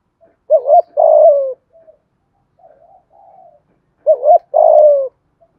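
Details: Cooing spotted dove, a decoy bird of the 'giọng thổ' voice type, used to draw wild doves to the lure. Two paired phrases sound about three seconds apart. Each is a wavering hooted note and then a long, falling, mellow coo, with faint soft murmurs between.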